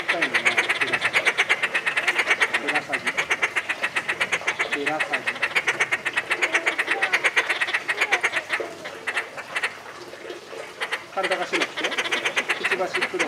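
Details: Inca terns at Tama Zoo, Japan, July 2019, calling nonstop in a harsh, rapid, clicking chatter, with people talking faintly behind.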